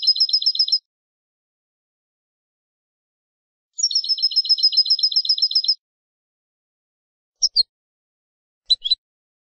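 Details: Goldfinch tutor song, Malagueño classic ancestral style, for teaching young birds: a short rapid trill, silence, then a longer two-second even trill of repeated tinkling notes, followed by a few isolated high chirps.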